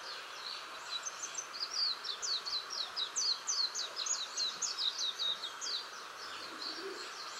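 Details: Japanese white-eye in a tree near a house, singing as evening falls: a long, lively stream of very high, sharp twittering notes, racing and jumbled, swelling in the middle and tapering near the end.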